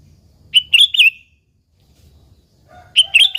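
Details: Sooty-headed bulbul singing vigorously in an original, unmixed recording used as a lure to set other bulbuls singing; two loud bursts of bright, bubbly chirped notes a second apart, separated by near silence, with a softer low note before the second burst.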